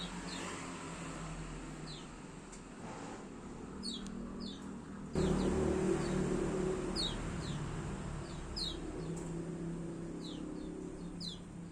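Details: Kecial, a white-eye, repeating thin high downslurred chirps in loose series and doublets, growing busier toward the end, over constant low engine-like rumble and broadband hiss.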